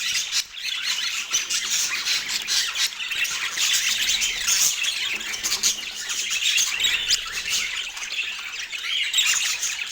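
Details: Pet parakeet's autumn breakfast in natural light; constant warbling chatter mixed with sharp chirps and scratchy squawks, with a few crisp ticks heard in the middle.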